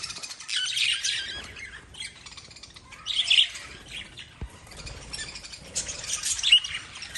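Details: Lovebirds chirping: three bursts of shrill, high, rapid twittering at about one, three and six seconds, separated by quieter stretches of faint scratchy chatter.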